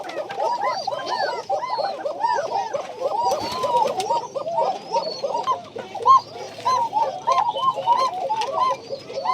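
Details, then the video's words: A flock of tiger Bashiraj pigeons in a loft in Bagmara, Rajshahi, Bangladesh, heard cooing together. Many overlapping throaty coos form a dense chorus, mixed with scattered clicks and flapping or handling noises. "টাইগার বাশিরাজ কোকা"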